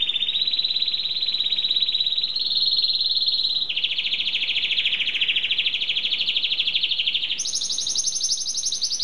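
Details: Singing canary delivering a chain of rapid, high trills in distinct sections, each holding one pitch before switching, the last section jumping noticeably higher and thinner.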